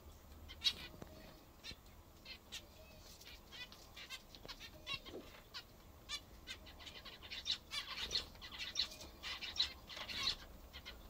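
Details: Pet zebra finches eating their favourite food call only sparsely at first amid clicks and rustles, then build into a denser series of nasal, harmonic calls over the final few seconds.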